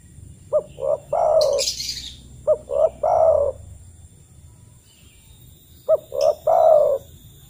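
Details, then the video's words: Spotted dove lure call to get other doves singing: three three-part phrases of clipped note, short coo and drawn-out falling coo, the last after a longer pause, with a burst of high chirping from another bird early on. "TEKUKUR TAK KUNJUNG BUNYI PUTAR SUARA TEKUKUR INI"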